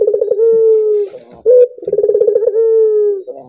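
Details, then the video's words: Two full cooing phrases from a collared dove, used to encourage other doves to sing; a pulsing, rolling start flows into a smooth falling tone, separated by a brief sharp note. "Suara burung puter ini membuat puter anda ikut gacor"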